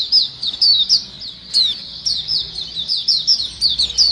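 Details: White-eye lure sound of a lively chattering flock: rapid high, thin chirps sliding downward, tumbling over one another almost continuously with brief gaps, and a faint low hum underneath.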